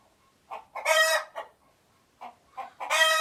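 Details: Alert chicken repeating its alarm twice: brief clucks leading into a loud, grating squawk, a pause, then more clucks and a second squawk.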